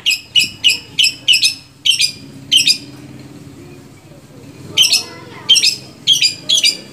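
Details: Long-tailed shrike kept in captivity in Indonesia, uttering bursts of quick harsh chattering notes in two groups separated by a short pause, with faint background hum.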